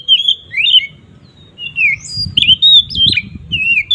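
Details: Magpie-robin in ngeplong song, played to provoke rival magpie-robins: a few drawn-out, wavering whistles and downslurred notes spaced apart, over a soft low background murmur.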